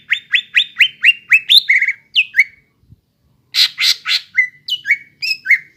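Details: Greater green leafbird in full song, used as a lure for untrained young leafbirds to copy: a fast series of rising whistled notes, then downslurred whistles and harsh buzzy bursts after a short pause.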